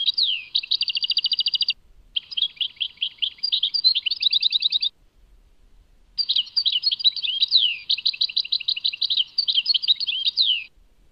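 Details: European goldfinch song labelled Tadmait: bright, high twittering phrases of fast buzzy trills, rapid repeated notes and quick downward-slurred whistles, delivered in three long bursts separated by short pauses; no other sounds intrude.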